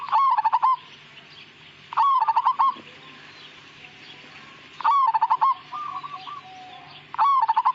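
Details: Zebra dove of the Majapahit type, a pure strain whose song typically lacks a final long 'kung' note, singing rapid pulsed, rolling cooing phrases roughly every two to three seconds, with a fainter trailing phrase and a steady low hum behind.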